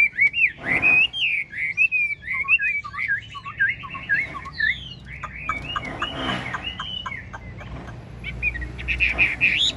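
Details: Chinese hwamei, a large caged bird singing while bobbing and dancing, delivers rich looping whistled phrases, twisting and rapidly varied, with brief pauses and some background noise.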